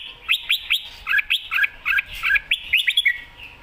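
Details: Red-whiskered bulbul's lively mae bot song: quick repeated upslurred whistles followed by two-tone warbled notes in rapid succession, ending with a drawn slur.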